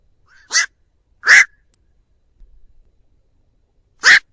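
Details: Black-crowned night heron giving its flock call for use as a bird lure: three loud, harsh, grating croaks, two close together and a third after a pause of nearly three seconds, with no other noise.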